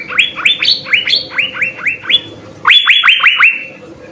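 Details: Cucak biru, the Asian fairy-bluebird, in lively full song: about ten rapid upswept whistles in a steady stream, a brief gap, then five more rising notes.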